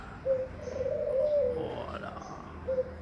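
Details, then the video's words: Barbary dove singing, the manggung cooing display, giving a low rolling coo that swells and then fades, with a short soft note on either side over steady background hiss. "burung puter manggung"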